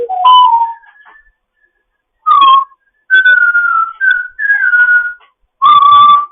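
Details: Foster African grey parrot in morning chatter, giving loud, steady, flute-like whistles of varying length, some with a slight downward bend, separated by short pauses in a quiet room.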